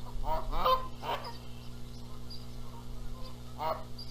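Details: Canada geese squabbling over who incubates the eggs at a nest in Charlo, Montana, April 14, 2022; a quick series of loud, harmonic honks early on, then a lone honk near the end over a constant low hum.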